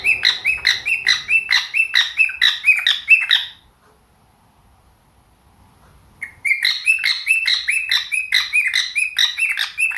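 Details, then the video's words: Cockatiel kept with budgies, singing in the morning: a steady string of bright, rising-then-falling chirped notes, a quiet gap of several seconds, then the same rapid repeated chirping resumes. "MORNING TUNES with KOKO the cockatiel and the budgies"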